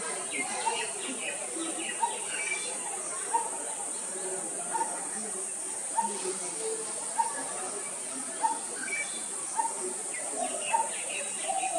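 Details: Coppersmith barbet calling: a series of short, hollow, low notes repeated about once a second over a steady high hiss of insects, with faint chirps from other birds.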